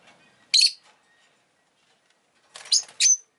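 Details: ['Pet rosy-faced lovebird: one sharp, rasping chirp, a long pause, then a quick run of three scratchy chirps close together, over faint background murmur.']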